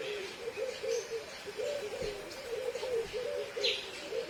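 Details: Purple-crested turaco calling: a steady run of low, hoarse notes repeated about three times a second for the whole stretch, with a brief higher chirp near the end and soft background hiss.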